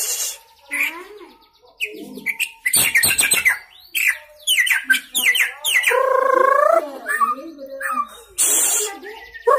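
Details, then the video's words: White-rumped shama, a young bird just past juvenile plumage, pouring out imitated fill-in phrases on one spot: scattered chips, a dense rapid rattling run, then a long wavering buzzy note and a final harsh burst. "Murai Gacor Muda Lepas Troto Muntah Isian Main Satu Tirik"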